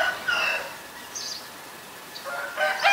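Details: Harsh chattering bursts from a White-vented myna, Ubon Ratchathani, Thailand, 9 March 2022: a rough grating phrase, a quieter gap with thin high squeaks, then another loud raspy outburst at the end.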